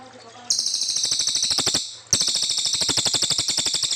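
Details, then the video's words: Brown fulvetta singing long and clear as master material for young white-rumped shamas; two loud bursts of high, rapidly pulsed buzzy trill separated by a short pause. "Cililin gacor panjang"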